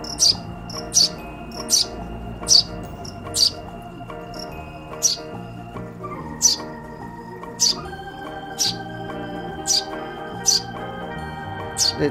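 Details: A rescued nestling Eurasian tree sparrow, found alone and kept in a cage, gives sharp, high chirps about once a second, begging for food, over soft background organ music.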